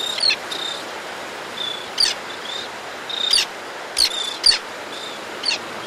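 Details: Adult white-fronted tern calling at close range as it arrives at a nesting ledge to feed its young: short harsh rasping bursts with thin high squeaky notes, repeated irregularly about every half second to second over a steady background hiss.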